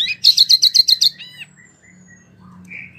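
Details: Wambie mini songbird in lively voice, used as training material for competition birds: a fast, even trill of about eight high chirps, then a thin descending whistle and a soft warble over a low background hum.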